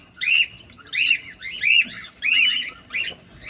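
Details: Cockatiel, a caged companion parrot, filmed close up while feeding; harsh, screechy squawks in rising-falling bursts, about five calls in under four seconds with short pauses between.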